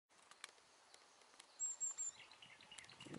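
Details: Hokkaido long-tailed tit in Meiji Park, Nemuro, on 30 April 2020, giving three very high, thin "chi-chi-chi" notes in quick succession; faint ticks and soft outdoor background sounds.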